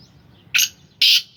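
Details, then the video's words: Two loud, harsh, broadband grating notes from a kept black francolin of the Sindhi Gangas strain in its third calling season, with quiet low background noise. "Kala teetar ki awaz / black francolin voice کالا تیتر کی آواز"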